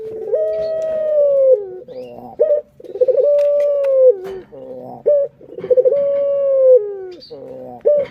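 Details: Pet puter dove giving its lure call to rouse other birds. Drawn-out level coos that drop at the end are broken by quick throaty rolls. The cycle repeats three times with a faint high chirp in the background.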